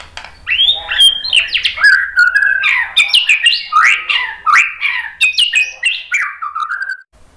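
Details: White-rumped shama song used as a lure to provoke other birds into singing. A rich, rapid stream of varied whistled and slurred phrases, many swooping down, delivered almost without pause, with a sharp clipped note at the very end.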